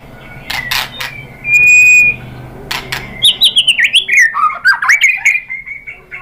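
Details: White-rumped shama singing to provoke rivals: a few sharp clicks, one steady pure whistle, then a quick series of bouncing, rising and falling whistled notes that ends in a long drawn whistle.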